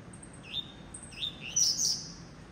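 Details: Blue-black grassquit singing: a few thin, rising whistled notes, then a short, harsh buzzy burst near the end. Faint low hum underneath.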